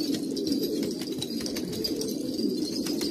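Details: Kabul pigeons of an old pure breed, Afghanistan, coo in a thick overlapping chorus of low, rolling notes, while sharp little taps and clicks sound throughout.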